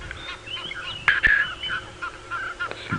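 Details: An Egyptian goose (Alopochen aegyptiaca) flying high overhead before dawn on a hot November day at an African game reserve honks: a string of harsh, nasal, rhythmic honks, with a few sharp knocks and faint background bird calls.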